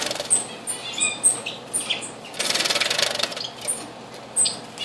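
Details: Diamond firetail at a bird bath, dated 04-06-2013: short, thin, very high chirps come in quick irregular runs, broken by a burst of splashing and wing flutter from bathing.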